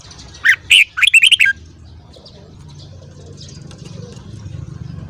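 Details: Red-whiskered bulbul morning song. Two short notes quickly turn into a rapid, rolling string of bright whistles lasting about a second, then only a faint low background hum remains.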